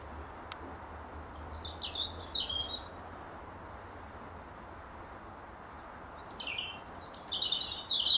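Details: Territorial song of a European robin perched on its favoured apple-tree branch in the last hour of daylight; a warbled phrase, a long pause, then descending slurred whistles and a bright trilled burst.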